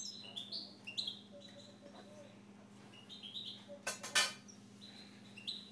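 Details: Siberian goldfinch giving quick twittering phrases of high, bright notes that rise and step between pitches, with a brief rattling burst midway and a constant low hum behind.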